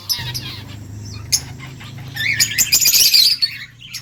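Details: Chattering lovebirds in a household with a ringneck and budgies: dense, shrill, twittering chirps build into a busy, overlapping burst in the second half, with a constant low hum beneath.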